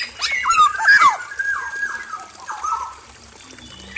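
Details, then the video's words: Male black-naped oriole singing in an aviary, chirpy and vocal: fluid whistled phrases sliding between low and mid pitch, a few bright notes clustered early, then softer falling whistles; a steady high hiss runs underneath. "PANCINGAN SUARA KEPODANG EMAS JANTAN GACOR FULL ISIAN DI KANDANG AVIARY"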